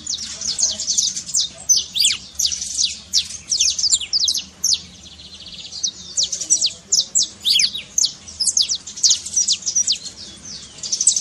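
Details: Saffron finch singing trincado to wake a quiet bird into song: rolling series of high, sharply falling chirps in rhythmic bursts separated by brief pauses.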